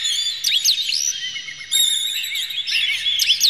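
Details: Oriental magpie-robin in an emotional, tail-spread display, singing to goad other magpie-robins into song; loud, high, twisting whistles and quick up-and-down slurs in two dense bursts separated by a brief gap.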